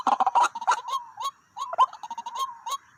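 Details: White-breasted waterhens, two birds drawn to a single decoy spot, giving harsh gobbling and croaking notes that rise and break, calls overlapping in bursts with short pauses between.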